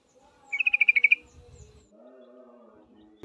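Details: Female yellow-vented bulbul calling a male, giving a rapid run of about nine sharp, ringing notes. Soft low rumbling and background noise follow.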